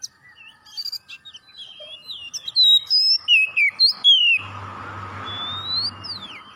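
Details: Oriental magpie-robin in full song, used to prompt other birds to sing: scratchy chatter, then loud clear whistled notes sliding down and up, about six strong phrases, with a low steady hum entering midway.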